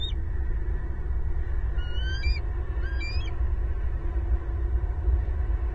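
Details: Bald eagles vocalising loudly at their nest tree in Southwest Florida, April 18, 2022, family at home; two short bursts of high, squeaky, stepped chirps a second apart, with a constant deep rumble beneath.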